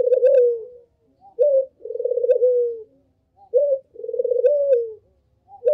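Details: Barbary dove calling as a lure for other doves, with clear low coos: a quick rising opener followed by a long vibrating roll that drops at the end, cycling roughly every two seconds in quiet surroundings.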